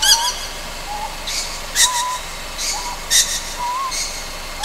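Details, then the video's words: Raspy hissing screeches from a young Ryukyu scops owl on Amami Oshima at night, repeated several times, mixed with soft short wavering whistles over a hissy background. "リュキュウコノハズク 幼鳥"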